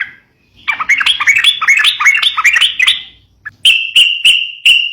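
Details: Sooty-headed bulbul in fighting-style song, played to spur young birds: a busy chattering burst of rolling, warbled notes for over two seconds. Four loud, clipped whistles follow at an even pace.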